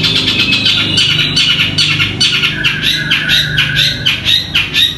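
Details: A long-tailed shrike sings a loud, scratchy jumble of harsh squawks and varied chattering notes, used as a tutor song and said to be full of mimicked kingfisher (tengkek buto) calls.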